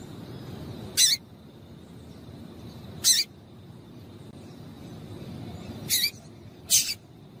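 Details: Female double-collared seedeater call used to get males singing: four brief, bright, high chips spaced irregularly a second or more apart over a quiet background with a faint constant high hum.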